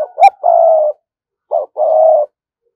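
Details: Spotted dove kept as a lure bird, cooing to attract wild doves: a short two-note pickup, then a long level coo, then a pause before a clipped note and a second sustained coo.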